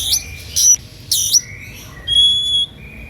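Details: An Oriental magpie-robin's emotional song, meant to make others that hear it join in; harsh buzzy bursts, then a drawn-out clear whistle and a softer trailing note.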